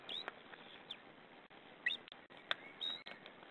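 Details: Nest camera on white-tailed eagles, 2 May, parent feeding leftover fish to the young: scattered thin, high chirps and a few slurred notes spaced irregularly against faint steady background noise.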